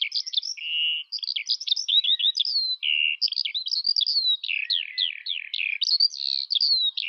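A Eurasian skylark pours out an unbroken, high, rapid warble of chirps, slurred whistles and buzzy trills, with no other sounds heard.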